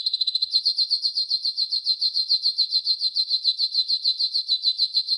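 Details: Training song of a yellow golden canary: one long, fast, evenly pulsed high trill, rich and bright, running without a break for about five seconds.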